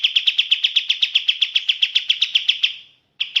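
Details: Rapid, clear chirping song of a sooty-headed bulbul (kapas tembak): evenly spaced bright notes repeated quickly at one pitch, dying away into a brief pause, then starting again.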